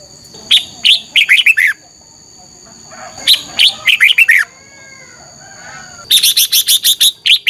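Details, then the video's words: Red-whiskered bulbul giving competition song during morning training, to rouse other birds: three separate phrases of quick, bright, down-slurred whistles, the last a rapid even chirp series, above two steady high electronic tones. "Luyện chào mào hót sáng - chào mào hót đấu"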